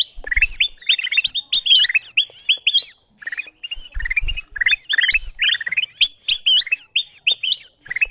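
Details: Ruby-throated bulbul lure call, used to draw wild birds down: quick, bright whistled notes, each rising and hooked, in dense chattering bursts with short pauses and faint low thumps.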